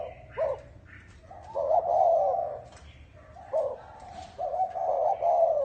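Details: Spotted dove cooing in the chuông đồng (bronze-bell) style, meant to excite males and females: short clipped notes followed by a long mellow coo, then the same pattern again. A few faint chirps can be heard in the background.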